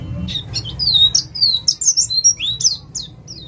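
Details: Lure song of an East Javan 'ngalas' white-eye: bright, high, slurred chirps and short whistles strung together quickly, some rising, some falling, with low background hum.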